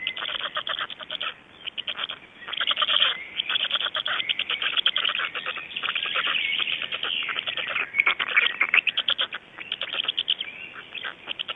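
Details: Dawn recording of black storks in Estonia, 26 May 2012, 05:15: long stretches of fast rattling clatter, broken by short gaps near two and eight seconds, with occasional thin whistled notes.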